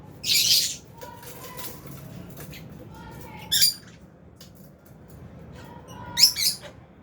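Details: Albino and Fisher's lovebirds kept in an aviary, feeding: a harsh buzzy squawk opening, then a sharp chirp near the middle and a double chirp at the end, with soft background hum.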